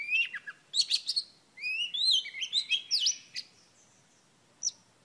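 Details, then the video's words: Female oriental magpie-robin singing to excite a male: bright whistled notes and quick rising slurs, several short bursts in the first three and a half seconds, then a pause and one last sharp note. The background is quiet. "Than mái hót kích trống P3 Oriental Magpie Robin Female"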